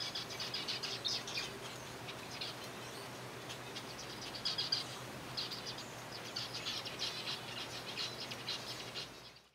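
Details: Zebra finches in a kept colony at feeding time with softfood, chirping in rapid uneven clusters of high, brief notes over continuous low hiss, with occasional fluttering.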